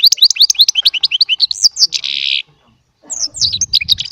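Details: Chardonneret song by a small Baster goldfinch: a fast series of sharp tinkling notes running into a buzzy rasp, a half-second pause, then more twittering over a faint low rumble.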